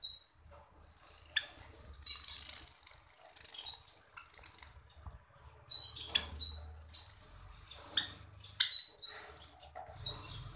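Java sparrows give short, high chipping notes in scattered bursts, with soft rustling and wing flutters from an aviary in between.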